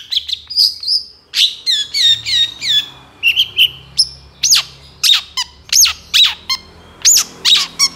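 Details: Long-tailed shrike in full song with rapid bursts, a training master for songbirds: varied whistles, some slurred and wavering, giving way to sharp, high, snapping notes at a steady pace.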